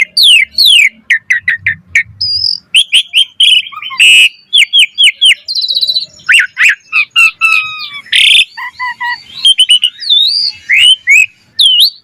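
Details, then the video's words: Long, busy Asian pied starling song, a training track for other starlings, full of rapid chirps, rattling trills, harsh bursts and whistled slides, with a brief low rumble near the start. "Jalak Suren Gacor Full Isian Cocok Buat Masteran Suara Burung Jalak Agar Gacor Full Isian Mewah"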